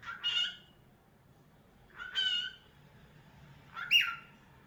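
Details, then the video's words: Cockatiel singing: three harsh, buzzy, rising whistled calls spaced about two seconds apart, each a short rich note with strong overtones, separated by near silence. "Adorable Cockatiel Cute Bird 🕊️ Nice Singing Movements"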